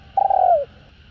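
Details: Single long spotted dove coo from a recording used to stir caged doves. It is steady and slightly pulsing, then slides downward at the end.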